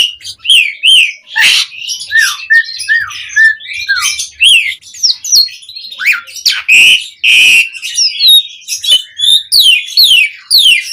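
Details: Asian pied starling in 'mompa' display song, played as bait to set other birds singing: fast continuous mix of twisting whistles, chattering squeaks and two loud harsh squawks near the middle.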